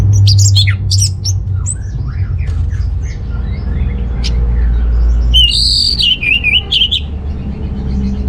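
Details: Orange-headed thrush singing, played to spur males low in breeding drive; sharp clipped notes open, then after a pause a rich warbling run of wavering whistles, with a continuous low rumble beneath.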